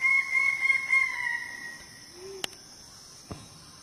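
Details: Greater bird-of-paradise on Aru island, Maluku, recorded on 21 March 2019: a loud, nasal, slightly pulsing call that sags gently in pitch over about a second and a half and then fades. Two sharp clicks follow over a steady high insect drone.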